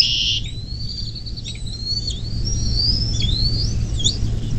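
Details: A nest-cam Bald eagle on the Little Miami River near South Lebanon, Ohio, USA, calls on 24 May 2024 at 10:12: a brief harsh burst, then fast rising and falling high whistled chitters over a low hum.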